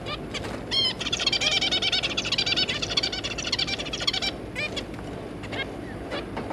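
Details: Zebra finches, two parents and three juveniles, 3 July 2022: a few nasal calls open, then a dense, rapid buzzy warbling song runs for about three seconds before isolated honking calls resume.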